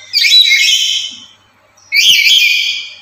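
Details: Loud, talkative lory, active every day and used as a lure and tutor for other lories, uttering two long harsh screeches with bright whistled overtones, separated by a short pause.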